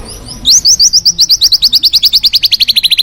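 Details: Forest white-rumped shama singing: after a short quiet start comes a fast, even series of sharp, high, upslurred notes, about eight per second, held steady for over two seconds.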